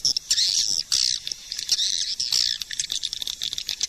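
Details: Swiftlet lure call: dense, continuous high chittering and twittering, a rapid scratchy buzz in bursts with brief gaps, steady throughout.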